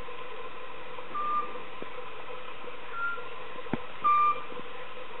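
Eurasian scops owl giving short, pure, sonar-like whistled notes about three seconds apart, with a fainter higher note between, over a low rumbling background and one sharp click.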